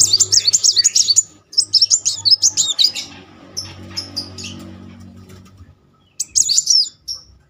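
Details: Sunbird singing steadily, played to coax a quiet bird into song: bursts of rapid, very high, thin twittering notes, a pause with scattered chirps and low hum, then another quick high trill.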